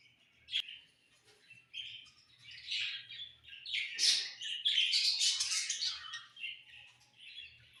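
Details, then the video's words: Summer evening budgie song starting with sparse chirps after a sharp click, building into loud, crowded warbling and squeaky chatter before tailing off into softer twitters. "Budgies In The Summer Evening"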